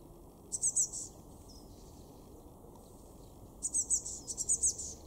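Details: Blue tit in a garden in Weener, East Frisia, far northwest Germany, recorded February 2024: a short high, thin trilled burst, a pause with a faint whistle, then a longer run of rapid high chittering notes over low steady rumble.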